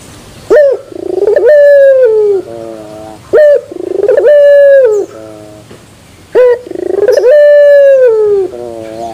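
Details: Turtle dove singing pelung style, terasan bermetal: three long coos, each a sharp opening note, then a rolling, sustained low tone that drops and ends in short stepped notes, repeated about every three seconds.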